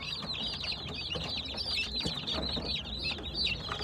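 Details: Baby chicks chirping: many high, thin peeps overlap in a constant dense chorus with no pauses, along with faint low background rumble.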